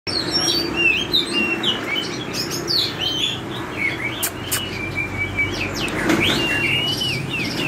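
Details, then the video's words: Oriental magpie-robin of drop-shaped build singing in the forest-voice style: varied clear whistled notes and slurred rising and falling phrases, high and fast, mixed with sharp clicking sounds and low background hum. "chích chòe than dáng giọt nước hót xòe giọng rừng"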